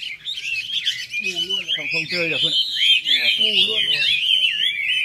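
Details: Red-whiskered bulbuls in full song at a club event in Long Bien, 27 April 2014. Loud, rippling whistles and warbles overlap, while human speech sounds clearly below the birds.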